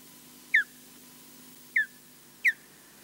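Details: Osprey on its Loch Garten nest in Scotland, filmed by a live nest camera, guarding the nest against a distant intruder. Three loud, clear whistled notes, each sliding downward, sound about once every second.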